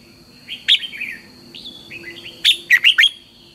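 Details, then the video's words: A red-whiskered bulbul sings in the morning for bird training: a sharp note, softer gliding whistles, then a lively run of four loud, clipped, down-slurred warbles. A steady faint high-pitched hum lies underneath. "luyện chào mào hót sáng, Hót hay KÍCH BỔI NHANH CĂNG LỬA, Cách luyện chào mào hót căng lửa"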